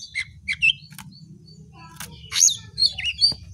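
Shortwing song: quick, high, sharp chirps and twittering notes, two or three a second, rising and falling, over a low background hum.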